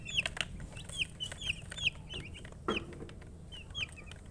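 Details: Baby chicks give scattered high piping peeps, a few per second, over a hissy background with clicks and a louder knock near the middle.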